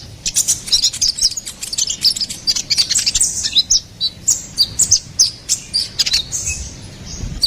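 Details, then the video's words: Konin kolibri ninja (ruby-cheeked sunbird) giving a lively gacor song: dense, high-pitched chattering twitters run together for seven seconds, then evenly spaced sharp chips toward the end. "SUARA GACORAN KONIN KOLIBRI NINJA"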